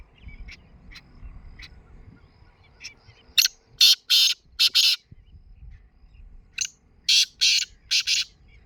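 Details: Morning call of a black francolin: two bursts of loud, rasping, clipped notes, three to four in quick succession, separated by a few seconds of near silence with faint background chirps.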